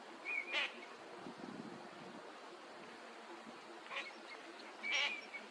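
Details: Eurasian teal, a winter visitor, at a park pond in Chiba, Japan, in February 2025, giving short, high, piping whistled notes, a pair near the start and a few more toward the end, over a soft low background hum.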